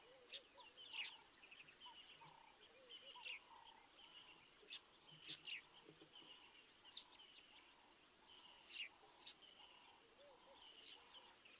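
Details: Crimson-breasted shrike recorded at Mabula on 19 September 2023 at 7:20 AM SAST: short mid-pitched whistled notes repeated steadily, with lower wavering notes beneath, amid a busy morning chorus of high chirping birds.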